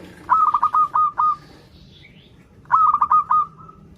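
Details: Local zebra dove singing well, a sound used to encourage learning birds: two rapid rolling phrases of bubbling pulses, each ending in a drawn-out note, with a faint higher chirp between them.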